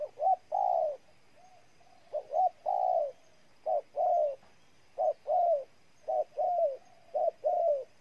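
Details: Spotted dove, Ninh Thuận province, Vietnam, calling steadily. Each phrase has one or two quick short notes and a longer, smooth, downward-curving coo, repeated about seven times in rapid sequence against a quiet backdrop.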